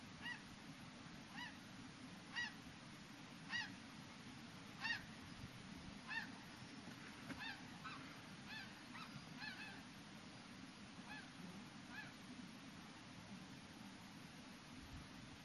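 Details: A flock of snow geese near Yellowknife at sunset on 12 May 2015 gives high, nasal yelping honks about once a second, several birds overlapping, over a steady low rumble of wind.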